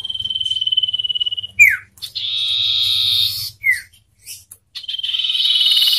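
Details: Common ioras, one wild and one raised by hand since young, competing in song: a long pulsing whistled trill, a steep downward slur, a harsh buzzy stretch, another short falling note, then a rising buzzy trill.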